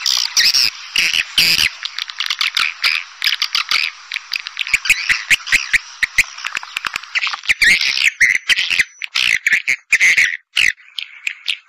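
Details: Swiftlet lure sound in the pancawarna style, used to draw in edible-nest swiftlets: a continuous buzzy, trilling twitter overlaid with rapid clicking pulses, becoming choppier and more broken toward the end.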